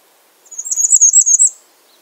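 Bay-breasted Warbler giving a very high, thin, rapid series of about eight sibilant notes lasting just over a second, with quiet surroundings.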